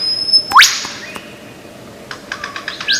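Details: Australian forest lyrebird, known for copying sounds: one loud, fast upward sweep, then a thin level whistle and a cluster of soft rapid ticks.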